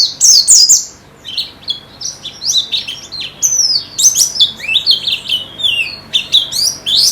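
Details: Training recording of white-eye song: a loud opening flurry of high twittering notes, then a long tumbling stream of sliding, downward-swooping whistles in quick succession.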